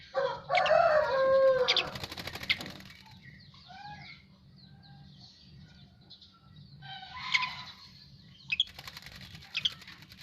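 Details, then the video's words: Asian pied starling singing after bathing: a burst of rich, harmonic, chattering and creaky notes in the first two and a half seconds, then quiet soft whistles and scattered sharp notes amid faint background hum. "Jalak uren habis mandi"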